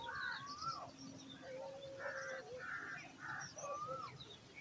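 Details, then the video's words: Eagle chick calling for food in its nest while waiting for dinner: harsh buzzy squawks in short blocks, mixed with thin sliding whistled notes and a low drawn-out tone, over steady background noise. "Hungry Eagle Chick Awaits Dinner"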